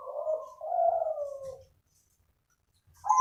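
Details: Soft cooing from a crossbred zebra dove: one low, smooth, wavering coo phrase lasting about a second and a half, then silence, with a new coo starting at the very end.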